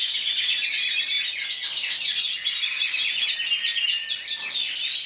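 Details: Spanish 2014 champion canary of the intense yellow variety, 94 points, with a busy, bright song of fast rolling trills and sweet high notes, changing rhythm every second or so without a break.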